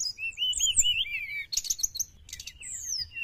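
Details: Sooty-headed bulbul singing to lure wild birds: a wavering whistled phrase, then a burst of rapid high chatter and a final long descending whistle.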